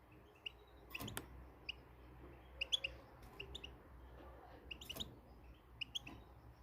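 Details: European goldfinch, described as Moroccan, giving sparse, short, high chirps and brief twittered notes at irregular intervals. Sharp clicks or knocks and a low steady hum sound in the background.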